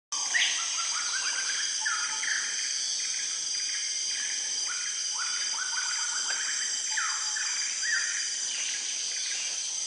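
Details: Dusky broadbill giving a steady stream of thin, rising, squeaky whistles, several overlapping as if from a group, over a constant high insect drone, at Rengit, Pahang, on 28 May 2010.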